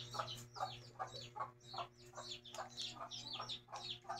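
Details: Mother hen with her chicks: a low clucking repeated roughly every half second runs under a continuous stream of high, downslurred chick peeps, all fairly quiet above a steady low hum.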